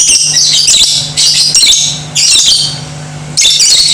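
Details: Lovebird singing meant to make other lovebirds aggressive and vocal: long bursts of shrill, rapid, squeaky chatter, four outbursts with brief pauses, against a faint low hum.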